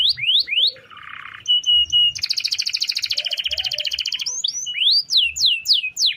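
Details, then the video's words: Vigorous canary song in the long-roll style used to tutor other birds daily: rising slurs, a low buzzy burst, a level whistle, then a two-second rapid pulsing trill followed by clear sweeping notes. "Suara Kenari Gacor Ngerol Panjang – Cocok Buat Masteran Harian!"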